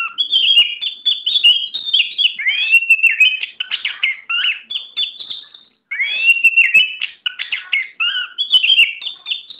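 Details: Tame Oriental magpie-robin in sustained song, a nearly unbroken stream of melodious whistles, rapid chattering trills and slurred swoops, with one brief break before the singing resumes just as richly.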